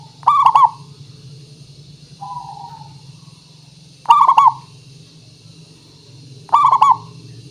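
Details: Local zebra dove used as a lure to prompt singing: loud, rolling cooing phrases of three or four rapid notes, repeated about every two and a half seconds, with a low steady hum and a softer coo between.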